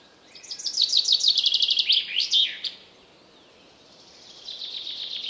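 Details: Common chaffinch (Fringilla coelebs), song.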